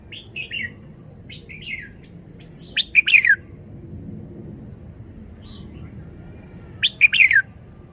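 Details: Red-whiskered bulbul with soft warbling notes, then two loud, rapid chirping phrases about four seconds apart, each closing with a bright falling whistle.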